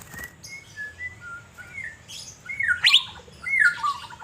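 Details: Asian fairy-bluebird, a kept bird in Banjarmasin, singing actively while set out to sunbathe: short clear whistled notes near one pitch, slurred and spaced, then louder rising and falling phrases with sharp chirps in between, over a low background hum.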